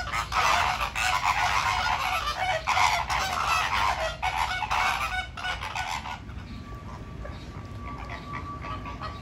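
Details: Pink flamingos dancing and fighting honk in a dense, goose-like chorus, overlapping nasal calls for six seconds before quieting to a softer background murmur.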